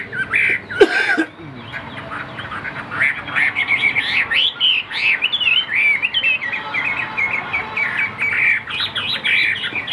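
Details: Chinese hwamei of the tam hoàng variety, a caged songbird, begins after a brief loud knock, then sings a long run of fast, warbling whistled notes with bright rising and falling slurs.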